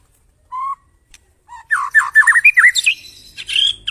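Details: White-rumped shama master song played to coax other birds into song: a lone low whistle, then a quick run of rich looping warbles climbing higher with scratchy overtones.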